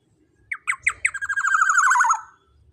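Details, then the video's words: Black-naped oriole (kepodang emas) in a lure recording meant to provoke rival birds: several sharp stuttered notes quicken into a long, harsh, nasal, slightly falling squawk with a rough, buzzy texture, over faint low background rumble. "Pancingan Suara Burung KEPODANG EMAS Gacor Lantang Bikin Lawan Ikut Emosi & Bunyi"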